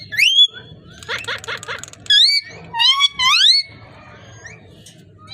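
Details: Parrot producing speech-like harmonic sounds and rising whistled notes, with a rhythmic pulsing buzzy passage, then bold upward-sweeping whistles in quick succession before falling quiet.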